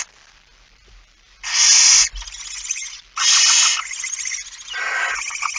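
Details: At 23:55 on 17 September 2019, a male barn owl arrives with a mouse: after a quiet start, two powerful rasping screeches of over half a second each, then a stream of lower, stuttering hisses.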